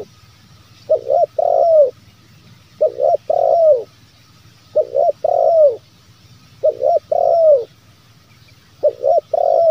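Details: Spotted dove lure call in the bero kuk, one lambung kuk style, for drawing wild doves to call. The three-note cooing phrase, two brief coos then a long downward-bending one, repeats steadily five times, roughly every two seconds.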